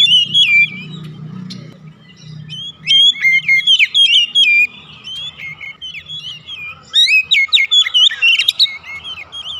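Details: Home-kept Oriental magpie-robin song serving as a lure for other birds: bright twittering phrases of quick whistled slurs and scratchy notes in two main bursts, over a soft low rumbling background hum.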